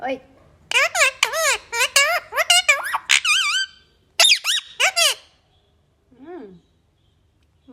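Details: Talking Indian ringneck parrot in a small room, producing rapid strings of bright, speech-like syllables with bending pitch, dense at first, then a few sharp phrases and a soft, lower call after a pause.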